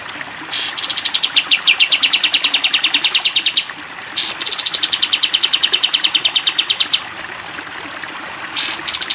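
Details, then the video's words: Training song for cage birds, sooty-headed bulbul in 'tembak panjang' style: repeated long bursts of quick, uniform, high-pitched chipping notes, each begun with a brief rushing sweep, against background hiss. "masteran kapas tembak panjang"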